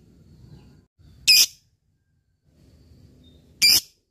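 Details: Fighter lovebird calling to a rival: two short, loud, high shrieks about two seconds apart, with quiet low background hum between them.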